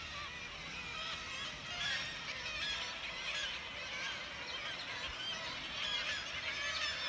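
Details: Many kittiwakes calling together from the cliffs of St Abbs Nature Reserve: a quieter wash of overlapping honking, nasal calls with a few louder cries rising out of the crowd now and then.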